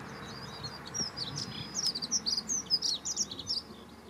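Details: Dunnock, or hedge sparrow, perched on yellow rapeseed in a field, singing a rapid, high-pitched, tinkling warble of squeaky notes that runs unbroken for about two and a half seconds over faint low background noise.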